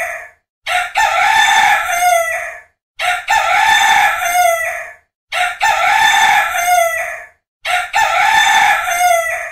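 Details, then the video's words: A rooster crows four times, each a loud, harsh cock-a-doodle-doo lasting about two seconds, repeated every two and a half seconds with brief silences between. "Horoz Sesi"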